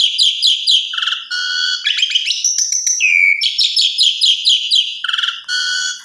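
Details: Asian pied starling singing a melodious, ringing 'berdayu dayu' style song: rapid bursts of repeated bright chattering notes, interrupted by lower clear whistled phrases and a slurred rising whistle midway, flowing almost without pause.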